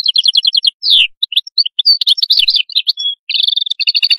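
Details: Canary singing a fast run of varied phrases: buzzy rattling trills, a downward sweep, chirped notes and a short steady whistle, with almost no pauses over four seconds. Quiet background with no other sounds.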